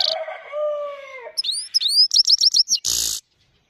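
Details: Himalayan goldfinch singing high song: a lower sustained whistled note slides down, then quick upswept chirps and a rapid twittering run ending in a harsh buzzy rasp, followed by silence.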